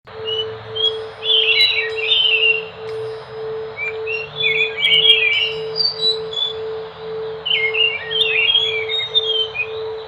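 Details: Enggano thrush, a songbird of Enggano island off Sumatra, Indonesia, singing bright warbled phrases of rising and falling whistles in short bursts with pauses between, over a steady low electrical hum.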